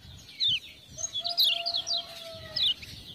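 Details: Lemon-bellied white-eye (kecial kuning, Lombok) singing energetically, spurred on by ciak-ciak sounds: quick high chirps and zigzag notes in bursts, with a long, low, steady whistle running through the middle.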